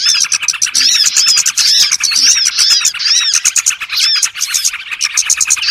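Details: Small birds (burcil) in a trapping lure recording, chattering busily: overlapping high-pitched twitters, sharp tweets and brief arched whistles in a steady, crowded stream of rapid notes.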